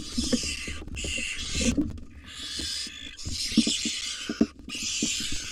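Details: Wild barn owl at a monitored nest box, a new female aggressively evicting a fledgling: four long, harsh, hissing screeches with brief gaps, over thumps and scuffling in the box.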